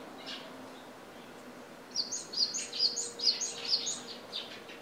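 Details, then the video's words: Japanese tit at home, recorded with a Nikon Coolpix A900; two quiet seconds of faint background, then a rhythmic string of six or seven high two-note phrases. "シジュウカラ/Parus minor"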